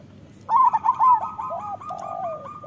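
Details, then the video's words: Local Indonesian zebra dove (perkutut lokal) song, recorded as a master song to coax lazy doves into singing: a cluster of quick cooing trilled notes, then a long run of steadier, softer coos. "Suara Masteran Burung Perkutut"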